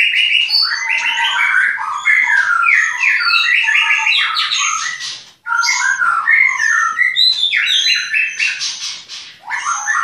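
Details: Captive white-rumped shama at a breeding farm in Klaten gives a dense, rapid song of varied whistles, chips and slurred notes. A brief pause comes midway, then the energetic phrases resume.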